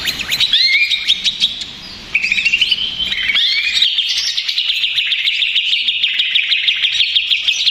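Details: Stressed, noisy Greater green leafbird used to provoke other leafbirds: separate rising whistled slurs and short bursts open the passage, then a fast continuous chattering warble runs to the end.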